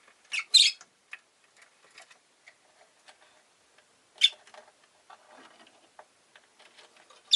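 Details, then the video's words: Rosy-faced lovebird with several sharp, squeaky chirps among many soft clicks and ticking noises, plus a low rustle in the background. "Lovebird Chirping Sounds"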